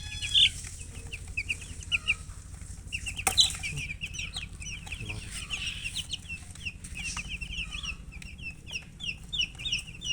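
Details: Constant chorus of high thin peeps from colour chickens, short repeated notes from several birds, a few louder piercing ones early on, a brief knock partway, and a low steady hum beneath.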